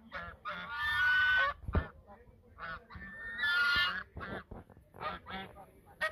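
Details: Duetting geese by the Sosúa River mouth in the Dominican Republic give two long, rasping honk bouts, each over half a second, followed by a run of shorter choppy honks near the end.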